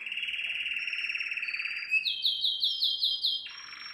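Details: Canary song meant to teach young canaries: a long even buzzing trill, then a quick string of high looping whistled notes and a closing lower buzz.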